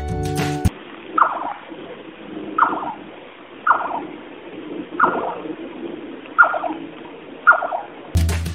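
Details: Jerdon's nightjar, a nocturnal bird of southern India and Sri Lanka, gives a short, liquid, quavering note that falls slightly, repeated about every second and a half. Brief music opens and closes the clip.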